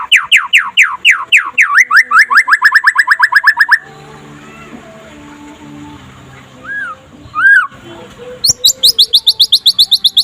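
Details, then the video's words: Daytime white-rumped shama song of the trotol style, meant as a master for other shamas: a rapid series of looping whistles speeding into a trill, a quieter stretch with two soft whistles, then fast notes resume. "SUARA KICAUAN BURUNG MURAI PASTOL DINLAGI HARI AGAR CEPAT GACOR"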